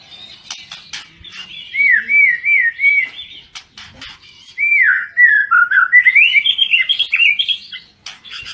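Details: Exotic Medan white-rumped shama with blorok (mottled) plumage: repeated looping whistled notes, then a longer rising and falling warbled phrase, with sharp clicking sounds scattered throughout.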